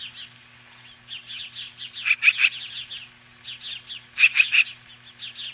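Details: Osprey at its nest in Hellgate Canyon near Lolo, Montana, standing off magpies at 10:26 AM on July 15, 2015. Rapid runs of short whistled notes, with louder, sharper bursts near the second and fourth seconds, over a steady low hum.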